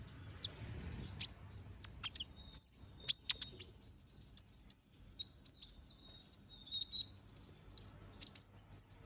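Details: Lively brown-throated sunbird song with sharp bursts, recorded as a training master for other birds: sustained run of very high sharp chips and twittering notes, quick and irregular, almost continuous for nine seconds.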